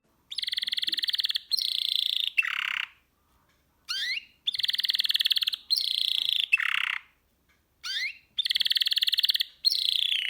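A canary sings fast, rolling trills broken by quick upward-sweeping whistles.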